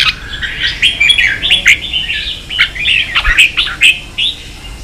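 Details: Red-whiskered bulbul, a Vietnamese cage bird agitated into contest singing, pours out a fast run of whistled, slurred notes, repeated about twice a second in an uneven, lively stream.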